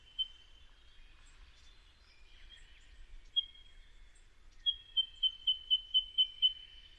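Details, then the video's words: An Eastern Yellow Robin gives its common piping call: a few scattered single pips, then a run of seven or eight high, even notes at about two per second, with faint background chirps and hiss; the call is easily confused with the White-throated Treecreeper's. "So that was the eastern yellow robin's piping call, quite a common call."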